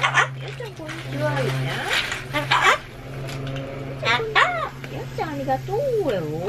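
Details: Indoor pet Solomons cockatoo repeating a word to outdo noisy renovations, its voice a string of arched, sliding harmonic syllables, some rising then falling, above a continuous low droning hum.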